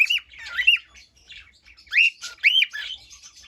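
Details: Cockatiel calling indoors, loud whistled and squawky notes with rising-falling arcs, in two bursts separated by quieter chatter.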